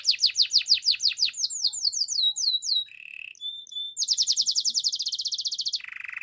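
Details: Canary singing a training song for other canaries: a run of rapid, sharply falling high whistles speeding up, a brief low buzzy rattle, thin clipped notes, then a loud dense high trill ending in a lower buzz.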